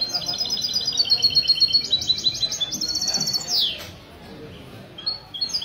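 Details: Contest singing of a European goldfinch, mestizo style, at a café gathering in Ksar el Kebir, Morocco, on a Sunday morning, 16 February 2020: fast repeated high chirping phrases, then a sharp falling note, with low crowd chatter.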